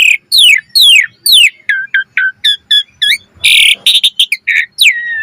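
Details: Jalak suren, Asian pied starling, in full-variation gacor mompa song meant to prompt other starlings: three long descending whistles, then a string of short clipped notes, a harsh burst and chattering chips ending in a falling whistle.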